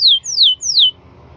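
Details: Canary giving three loud, pure whistles, each sliding steeply downward in pitch, evenly spaced across about a second, followed by quiet.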